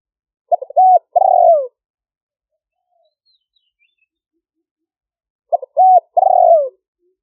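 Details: Spotted dove decoy calling for wild doves, recorded live in Roi Et province, Thailand, in 2021: two widely spaced phrases, each three short clipped coos followed by a long buzzy coo that falls at the end.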